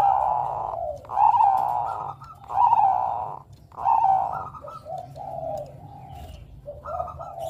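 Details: Bangkok zebra dove, a young male, cooing in a rough repeated series: broad, hoarse coos about every one and a half seconds, with quieter throaty phrases trailing off at the end over a low background hum.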